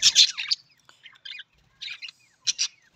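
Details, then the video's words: Budgerigar opening with a loud harsh screech, then giving a few short scratchy chirps in small clusters, and closing with a brief raspy double call. "Australian parrot voice Budgies parrot voice"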